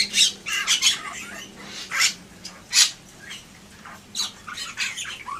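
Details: Energetic Bali myna (Leucopsar rothschildi) song of grating, raspy squawks and chattering bursts in uneven groups, with a faint steady low hum behind.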